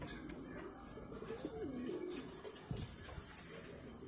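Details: A fancy pigeon at a pigeon hobbyist's loft in Purwokerto gives a soft, low coo that wavers and falls, lasting under a second, over room noise and a man talking nearby.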